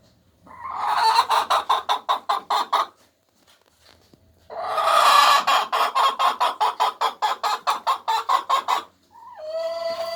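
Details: Egg song from hens laying eggs: two long bursts of rapid, evenly spaced harsh cackles, about three per second, separated by a short pause, ending with a higher drawn-out wavering note.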